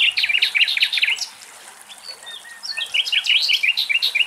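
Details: Common Nightingale (Luscinia megarhynchos) singing in the morning in Greek countryside: a rapid burst of sharp, high chirped notes, a pause with a few thin whistles, then another fast rippling phrase.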